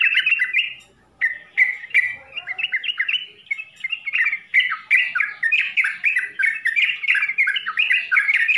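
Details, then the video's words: Trucukan, or yellow-vented bulbul, in full-isian song. After a short pause early on, it gives a dense run of quick chirped and warbled phrases, steady and busy throughout. "SUARA TRUCUKAN FULL ISIAN"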